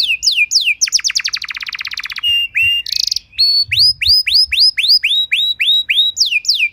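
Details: Canary training song with falling whistles, a long rapid pulsed trill, a brief buzzy burst, then a steady series of rising hooked whistles about three per second.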